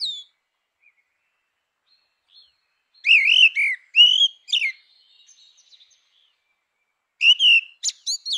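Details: Fluty, warbled song phrases from a grey-winged blackbird: one rolling whistled phrase with sharp accents, then a gap, then a shorter bright flourish of high notes; no other sounds.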